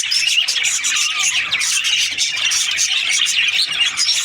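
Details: Budgerigar flock in breeding season keeping up steady chatter: high, fast twittering and trilled chirps from several birds, continuous and even in loudness.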